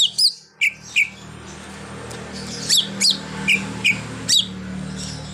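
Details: Greater green leafbird song, full repertoire including a mimicked car horn; sharp downslurred whistled notes in a loose series with pauses, against a low steady hum.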